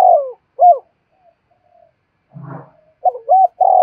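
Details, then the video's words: Spotted dove calls used to train decoy birds for trapping: low cooing notes with rising-falling inflections, a rough low burst midway, then a quick run of coos and a long held coo. "tiếng chim cu gáy kích bổi nhanh nổi và tập mồi hiệu quả mỗi ngày"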